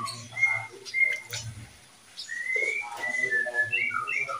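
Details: Breeding pair of oriental magpie-robins, kept as a caged pair: clear whistled notes around the upper-middle pitch, short flat whistles then longer rising and falling phrases, with some low background noise and faint voices.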